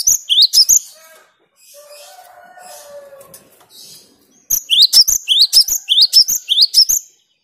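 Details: Cinereous tit (gelatik batu) in full clear song: short runs of sharp, high, rising whistled notes repeated rapidly, with a soft lower drawn-out sound in the gap between bursts.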